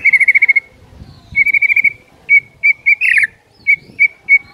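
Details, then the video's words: White-rumped shama song for stimulating other shamas: quick bursts of identical high whistled notes, then single clear whistles spaced about every third of a second, with one brief harsh note in between. "MASTERAN MURAI BATU GACOR FULL EMOSI BIKIN MURAI LAINNYA AUTO GACOR"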